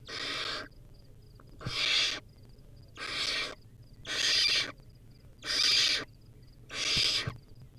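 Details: A wild young barn owl feeding on a rodent at a nest camera: six hoarse, breathy screeches, each about half a second, repeated at a steady pace.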